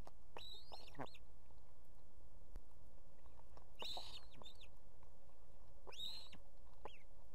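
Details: Nesting female osprey in Estonia with two chicks, summoning her mate to bring fish: three loud, piercing whistled calls spaced about two seconds apart, each sliding high then dropping, over steady background hiss.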